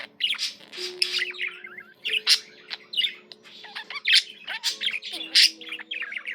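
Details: Pet budgie singing a busy, scratchy chatter: squawks, whistled slurs and clicks in rapid bursts about every half second, with soft sustained tones in the background.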